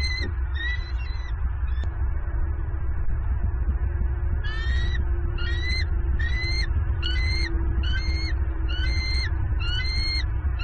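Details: Bald eagle female at a southwest Florida nest, 7 November 2022, screaming excitedly at the male's fish delivery; a few early notes, a pause, then a regular series of shrill chattering calls about once per second over constant low-frequency background rumble.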